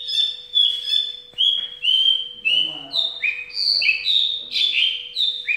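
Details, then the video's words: Javan bush lark, a caged hobby bird, in its 'ambulance' song: drawn-out level whistles, then alternating high and lower slurred notes that jump back and forth, like a siren, with a faint hum. "Branjangan dasyat joss"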